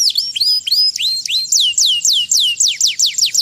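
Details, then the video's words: Canary singing chincin-style song, high whistled notes sliding steeply downward, repeated in a quick even series of about four per second, bright and loud with no other sounds. "Kenari "Chincin Canary""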